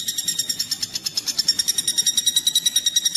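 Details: Common flameback woodpecker call used to tutor songbirds such as magpie robins: a fast, even run of high, ringing notes, roughly three per second, continuing without pause.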